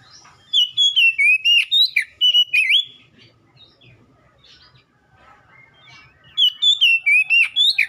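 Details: Oriental magpie-robin singing to prompt a caged bird to respond: two bursts of quick, varied whistles with sliding and rasping notes, separated by about three seconds of quiet with soft distant chatter.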